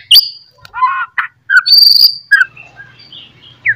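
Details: White-rumped shama in loud morning song that goads other shamas: sharp high whistles mixed with throaty warbles and a sustained buzzy trill, then soft twitters over a low hum.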